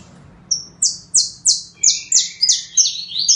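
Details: Singing saffron finch giving loud, high notes that drop sharply in pitch, repeated about three times a second, with a thinner, lower buzzy trill joining partway through the phrase.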